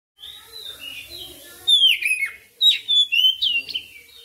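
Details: Oriental magpie-robin (kacer) in persistent, lively 'gacor' full-repertoire song: after faint lower warbling, loud clear whistled phrases with sharp downward sweeps and rising slurs come in quick bursts from mid-clip onward.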